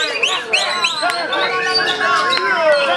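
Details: White-rumped shama singing a rich, varied run of clear whistled notes: sweeping up-and-down slurs, short rising phrases and a long low steady tone, delivered rapidly and continuously.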